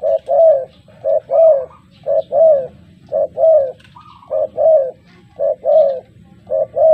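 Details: Spotted dove, a trained lure bird set against a newly trained dove, giving loud repeated low coos in phrases of two or three notes, each phrase about a second apart, steady and clear over a quiet background.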